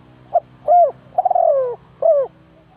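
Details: Spotted dove used as a decoy bird at a trap in Ninh Thuận, Vietnam, giving one cooing phrase: a short soft note, an arched hollow coo, a long rolling coo sliding downward, then a final arched coo, over a faint low hum.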